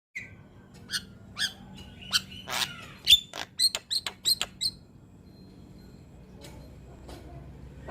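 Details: Young Javan myna in full, lively song, recorded as a training model for other mynas to copy: a burst of sharp, scratchy and whistled notes with harsh squawks, mostly high-pitched, fading out after about five seconds into quiet background hum.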